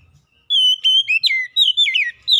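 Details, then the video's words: Oriental magpie-robin (kacer) giving a lure song meant to trigger lazy birds into singing: a long steady whistle that breaks into quick descending slurs and warbled twists, clear and loud. "kicauan Kacer pemikat | Kacer malas bunyi terpikat langsung gacor"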